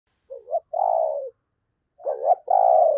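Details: Decoy spotted dove giving its urging coo during the Tết season, used to lure wild doves: two low mellow phrases, each a short stuttering note followed by a long drawn-out hoot, about 1.7 seconds apart, in otherwise quiet surroundings.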